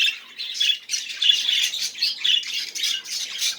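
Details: Pulsing budgerigar chatter: scratchy warbled phrases rise and fall about every half second, forming a rhythmic run of high, buzzy notes.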